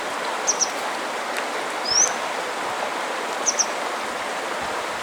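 A grey wagtail gives sharp, high double call notes twice, with a thin rising note between them, over the steady roar of a rushing stream.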